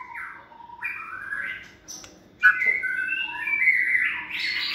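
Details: Hand-raised, caged white-rumped shama in its second season, a competition bird. Long slurred whistles rise and fall, then after a brief lull a louder stretch of sustained whistled notes follows.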